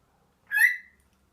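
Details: A happy pet Senegal parrot gives one short whistled note that rises and then falls, lasting under half a second, with no other sound around it.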